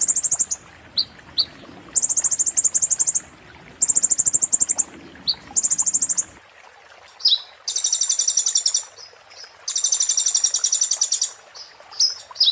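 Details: Konin 'muntah beling' song for training magpie-robins and shamas: clusters of high buzzing trills and short chips, ending with two longer, fuller rattling bursts; light background hiss early on.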